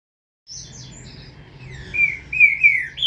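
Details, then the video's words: Green-winged saltator chick, captive-bred: a few soft high chirps, then louder slurred whistled notes falling in pitch, repeated about twice a second. "FILHOTE DO TRINCA FERRO"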